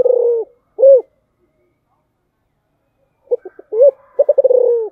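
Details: Spotted dove in its special 'giọng thổ' song. The end of one phrase and a round coo are followed by a pause, then staccato notes, a coo, and a rapid rolling stutter stretching into a long descending coo.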